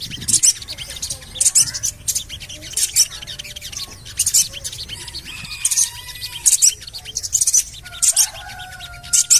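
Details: Javan cochoa lure call, used to prompt other birds to sing. Short, harsh, very high chirps in bursts about once a second. Faint thin whistles from other birds lie lower.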